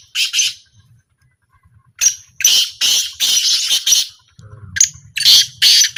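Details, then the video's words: Black francolin in a calling trial giving harsh, scratchy notes in a fast run of about five, a pause, then three more grating bursts; faint low rumble behind. "A Small Trial Of Black Francolin"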